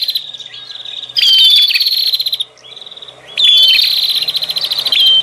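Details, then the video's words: Bar-winged prinia call for luring wild birds, two loud buzzy rattling bursts with thin whistles, between softer chatter and a faint low hum. "Suara pikat burung prenjak Ribut"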